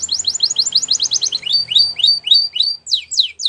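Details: Training song of a champion Belgian canary: quick high chips run into slower, evenly spaced swooping whistles that rise and fall, ending with steeper down-slurred notes, about three to four per second.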